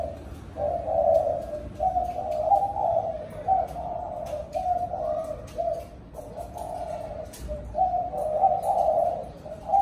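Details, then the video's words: Spotted dove calling the flock at evening. A long, nearly continuous run of deep mellow coos with short pauses between phrases, accompanied by steady background hiss and frequent sharp clicks. "Cu gáy gọi đàn chiều"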